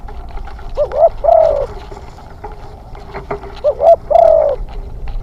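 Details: Spotted dove, a young decoy bird on its second training outing for hunting, giving two cooing phrases: a short double coo followed by a longer, slightly falling hooted coo, with faint background noise.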